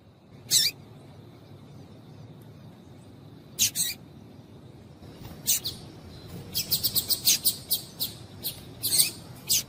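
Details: A female double-collared seedeater calls to stimulate male singing, giving scattered sharp high chips that build into a fast, uneven string of repeated chirps in the second half.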